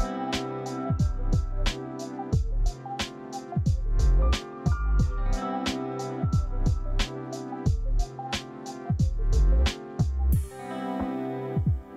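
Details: Rhythmic music with drums, bass and plucked strings plays throughout, with no animal voices heard.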